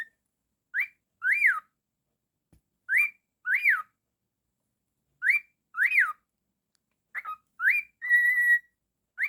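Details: Cockatiel kept as a pet calling in a room: arched up-and-down whistles in pairs roughly every two seconds, closing with a held flat whistled note.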